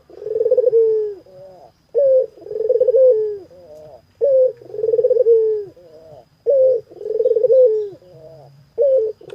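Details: Barbary dove, a home-kept bird in vigorous singing form, cooing steadily: each phrase opens with a short clipped note followed by a longer rolling coo that slides downward, repeated about every two and a half seconds with low hum behind.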